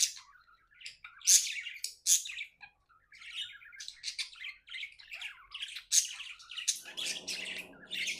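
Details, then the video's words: Pet budgerigars chirping happily: loud sharp chirps mixed with scratchy warbling chatter, fairly continuous, with a low murmuring sound joining near the end. "Happy budgie chirping sounds"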